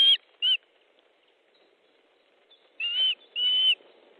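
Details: Osprey at a nest in Estonia on 14 July 2014, 12:50, with fish being brought in: two short sharp whistled calls, a pause, then two longer, clear, slightly falling whistles.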